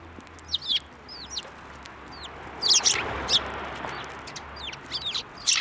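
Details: Sparrows at a Tenmangu shrine in March 2024, coming to a hand for food: scattered high, thin chirps and sharp downslurred notes, with a louder cluster of rough chirps midway and more at the end.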